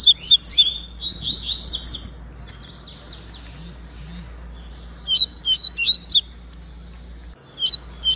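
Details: Double-collared seedeaters, a white-breasted and a yellow-breasted bird, in a singing dispute. They trade bright, high chirps in quick bursts, pause, then answer with sharp whistled notes over a low steady hum.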